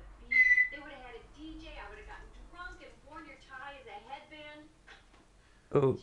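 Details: A female African grey parrot, called noisy, gives a clear rising whistle, then a run of speech-like chatter with varied pitch, ending in a sudden loud squawk indoors while picking her nose.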